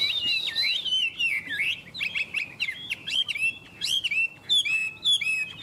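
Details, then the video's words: Chinese hwamei pouring out a rich varied song: looping, fluting whistles mixed with sharp chips and fast twittering phrases, delivered in quick bursts. "Họa mi đẹp hót hay"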